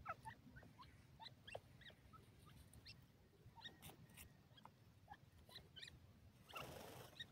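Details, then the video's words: Grey francolin (dakhni teetar) chicks playing: short, thin, high peeps scattered irregularly throughout, some sharply rising, over a steady low background hiss, with a brief burst of broad noise near the end. "grey dakhni teetar k bacchay,desi teetar babies playing"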